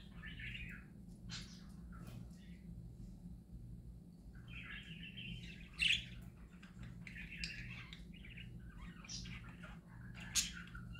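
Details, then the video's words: Happy pet parakeets singing: bursts of chattering, buzzy warbles and short squeaks separated by pauses, with a few sharp high clicks over a steady low electrical hum indoors. "Parakeets Singing Happy Parakeets Parakeet Sounds"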